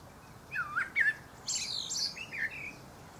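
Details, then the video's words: Blackbird (Turdus merula) in song atop a pear tree, two looping fluty notes followed by a strained high-pitched twittering flourish and a final mellow downslurred whistle. "Blackbird Singing"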